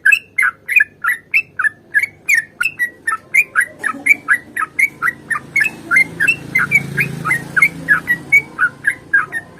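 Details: Sooty-headed bulbul in lively long rapid-fire fighting song, used to coax caged bulbuls into singing: short bubbly whistled notes in an unbroken fast series, each note bending up and down, with a low rumble in the background midway.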